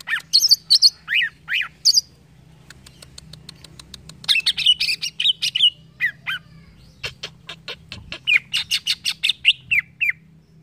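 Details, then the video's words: Song of a green leafbird used as a training tutor: bright whistled notes, rapid dry ticking bursts and buzzy sweeps mixed in a lively, irregular phrase about ten seconds long over a faint low hum. "CUCAK IJO BAHAN CEPAT NYAUT DENGAR CUCAK IJO INI"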